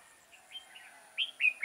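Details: Trapping decoy red-whiskered bulbul, 6 October 2018: soft warbled notes build into two loud, sharp whistled notes and the start of a third, quickly delivered.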